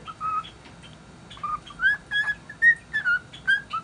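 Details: Cheerful pet cockatiel singing an unknown melody in good spirits; after a single whistle and a pause, clear whistled notes return in a quick uneven string, a few sliding up or down, with faint higher chirps.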